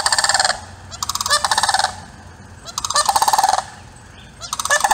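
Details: Florida sandhill cranes at Hudson, Florida, around Easter on a hot day of about 90 degrees, give loud, rolling, rattling bugles in roughly one-second bursts, several birds calling together in harsh, trumpeting choruses.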